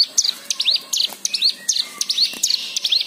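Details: White-eye lure song meant to get other birds singing, rich in varied fill-ins: quick high chirps and curved upslurred notes repeated in a busy, uneven rhythm.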